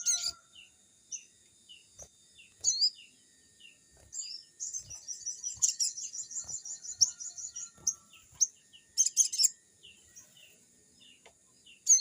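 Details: Crimson sunbird (sogon) singing lively, forest-like, played to train newly kept young birds: thin high chirps repeated about every half second, broken by a long rapid buzzy trill and dense twittering bursts.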